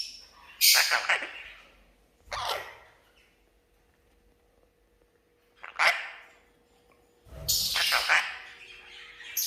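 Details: Red-breasted parakeet, a pet being teased, giving loud harsh squawks spaced several seconds apart, the last a longer grating burst, with near silence between calls indoors.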